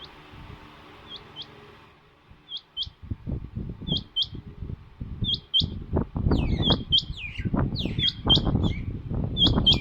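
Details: Female rain quail calling in a voice like the male's; high, sharp paired notes repeat roughly every second and a half, with loud low thumps and rustling throughout and some quick descending chirps near the end.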